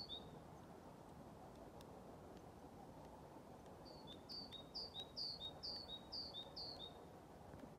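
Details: Great tit singing vigorously on 21 February 2023 at a retirement home in Haga, with a blue tit joining in now and then: a clear two-note phrase, high then lower, repeated about seven times in quick succession over a steady low rumble.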